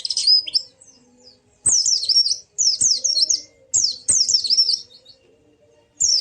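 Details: Ngalas-style white-eye song for getting a silent bird to sing: repeated bursts of high, bubbling, wavering chirps, each lasting under a second, with quiet gaps between.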